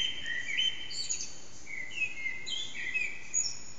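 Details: Common blackbird (one or more unseen) singing at about 4:40am in an echoing backyard: a few mellow, fluty whistled phrases with high, squeaky twitters, over a soft, steady background hiss.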